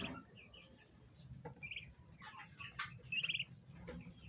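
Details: Bronze turkey hen with poults: the chicks give thin, high peeps and short trilled chirps, several overlapping, with a few lower throaty clucking notes from the hen and a soft rumbling background.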